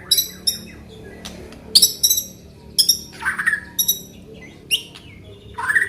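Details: Aceh white-rumped shama isian fill-ins: repeated harsh, buzzy high-pitched notes in short bursts, mixed with a few lower slurred whistles and sharp clicks, in quiet surroundings.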